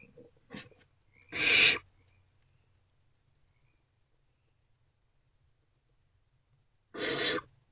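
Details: Two harsh, breathy hisses about five seconds apart from barn owlets in a nest box on the night of 2 March 2024, with near silence between them and a few light taps before the first.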